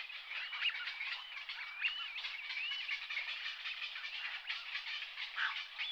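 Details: Brent goose flock on Strangford Lough in County Down, Northern Ireland, where the birds spend the winter. A dense, continuous babble of throaty, wavering calls comes from many birds at once.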